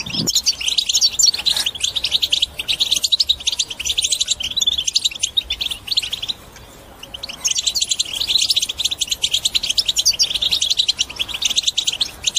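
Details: Long strong song of a European goldfinch to encourage birds to sing and break the silence: extended rapid twittering and trills, a short gap near six seconds, then continuous chattering again.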